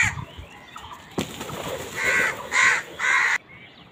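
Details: Crows fighting for food: after a muffled, noisy start, three loud rasping caws arrive in close succession, each harsh and broad, then the calling stops abruptly.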